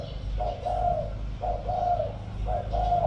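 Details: Spotted dove kept as a decoy bird, 'giọng thổ' voice, delivering three mellow two-part coos, each a brief note followed by a longer steady hum, against low rumbling background noise.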